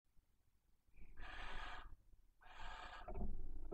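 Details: Female barn owl at a nest box near the Casa Palillos visitor centre in Cabañeros National Park, calling intensely for the male before mating. Two long, harsh, hissing screeches about a second each, with soft rustling and breathy noises between.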